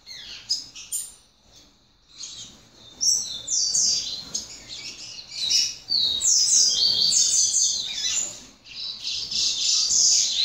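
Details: Young double-collared seedeater from a breeding aviary, singing a loud, high, rapid twittering song of buzzy chirps and trills, in bursts with a short pause near the start, then nearly continuous from the third second on.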